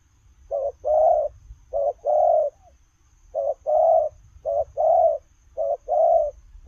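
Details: Spotted dove cooing while running: low mellow coos in pairs, a short note then a longer rolling one, repeated about four times over the stretch, with a steady faint high hiss and low rumble behind.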